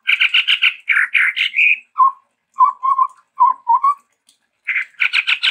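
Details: Sumatran endemic Chestnut-rumped babbler singing with variations: rapid buzzy pulsed chatter, then a series of low soft whistled notes, and chatter again at the close.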